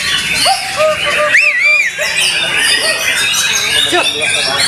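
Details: At an Indonesian bird song contest's Best in Show round, a white-rumped shama gives varied whistled phrases with a prominent rising-then-falling sweep, amid a noisy crowd of talking people.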